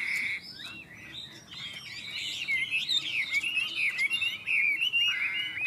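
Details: Chinese hwamei duelling in song with a rival, neither bird yet owned: a quieter start, then fast tumbling whistled phrases, rising and falling slurs delivered in quick succession.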